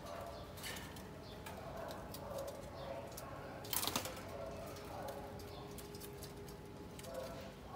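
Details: Captive breeding pair of spotted doves, kept together for three days, preening each other and carrying material to build a nest; soft low coos come faintly a few times through steady rustling, clicking background noise.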